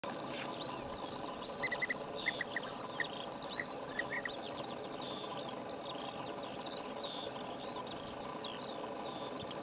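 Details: European bee-eaters in Lubelskie Voivodeship, south-east Poland, on 20 May 2019: short burry calls in brief clusters around the second and third seconds, over a dense chorus of high twittering from other birds and a steady background hiss.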